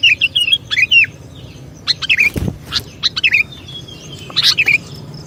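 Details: Sooty-headed bulbul song as a trapping lure: scattered bursts of bubbly, slurred chirps separated by short pauses, with a dull thump partway through.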